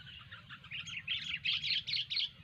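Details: Gacor song of a sooty-headed bulbul (kutilang): a burst of warbling, slurred whistles that grows louder, ending in several strong notes, over noticeable low-pitched background noise.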